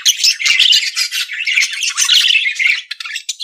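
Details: Nonstop buzzy budgerigar warble, a busy mix of rasping squeaks and chirps forming one long chattering phrase.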